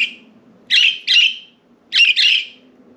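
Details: Pet budgies free outside their cage, perched on window blinds; after one fading chirp come two paired bursts of raspy, scratchy chirps, each pair about half a second long, with a quiet room hum beneath.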